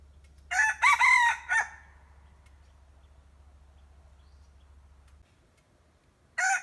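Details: Decoy red junglefowl rooster crowing: a harsh, broken crow of three rapid bursts lasting about a second, then near silence with a low hum, and the start of another crow at the end.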